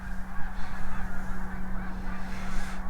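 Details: A distant flock of Snow Geese at Beaudet reservoir, Victoriaville, Quebec, on a cold late-season morning, honking with many overlapping nasal calls forming a steady clamor as they take off, over a low rumble of wind.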